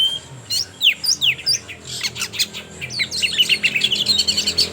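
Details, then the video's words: Oriental magpie-robin lure song meant to start speckled young birds singing: loud downward-swept whistles, then scratchy chatter building into a rapid run of clear, rising and falling notes. "Pancingan suara Kacer trotol BIKIN KACER NGEPLAY"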